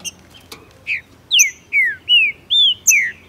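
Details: Green-winged saltator, a Brazilian male in tournament and breeding season, singing hotly with a female present to spur another bird's song: a few soft notes, then a run of loud, clear, downslurred whistles repeated at a quick, even pace.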